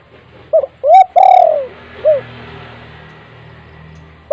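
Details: A loud spotted dove used to lure untrained doves: a doubled short note, a rising coo and a long falling coo, then one lone note over steady background hiss.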